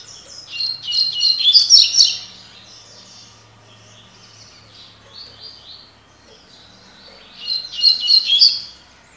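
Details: Double-collared seedeater in tui tui (tocó) song style: energetic, rapid buzzy high phrases at start and end, separated by softer slurred notes, with a faint low hum underneath.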